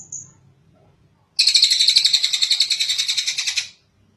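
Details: Long tengek cililin kingfisher call for training other birds: after a short high peep and a quiet pause, a loud, fast chattering rattle of evenly repeated harsh notes runs for over two seconds.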